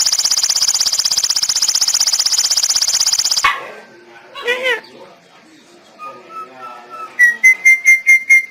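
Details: Javan myna imitating human speech, saying "Bapak": a long, loud, buzzy pulsed rasp that cuts off abruptly, then a short voice-like syllable and a series of clear level whistles, the last ones repeated rapidly.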